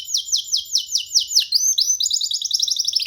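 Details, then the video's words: Free young canary singing on a person's hand: a repeated series of slurred downward whistles, then a fast, high, chattering trill. "Canary singing freely on sitting on d hand"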